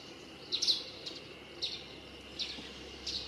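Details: Russet sparrow singing from roadside trees in the Yumoto hot-spring town of Nikko, Japan, with ordinary sparrows also present nearby; short, high, bright chirps come in small clusters roughly every second over a faint steady background hiss.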